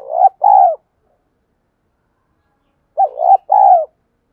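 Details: Female spotted dove calling to draw in wild doves: loud, low, mellow coo phrases of three notes, the first short, then two longer ones, with a pause of about two seconds between the phrases.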